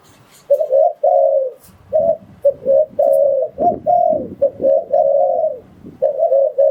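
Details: Spotted dove calling, recorded for luring wild doves: run of mid-pitched coos, short clipped notes mixed with longer level ones, over intermittent low thuds and rustles.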